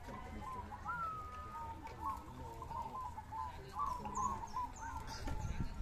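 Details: Zebra doves singing at a contest in Ngawi, Indonesia, on 18 September 2022, mixed session: overlapping soft, rolling coos, repeated rapidly at a steady mid pitch, with faint high chirps from other birds and background crowd noise.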